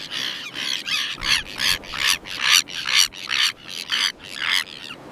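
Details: Common terns in a breeding colony, giving harsh, grating squawks in a steady series, roughly two to three per second, each call broad and rasping, with a faint background hiss.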